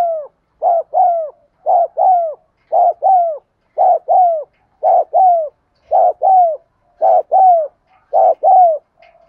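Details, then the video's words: Spotted dove coos played to get quiet caged doves cooing: regular two-note phrases, a brief coo then a drawn-out downslurred one, roughly every second, in a quiet setting. "tiếng cu thúc gù hay"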